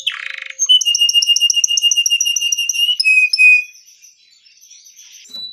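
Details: Long-singing gacor canary for teaching young canaries: a rasping burst opens into a steady rapid trill of ringing high notes, then slower downslurred notes that fade into a soft warble.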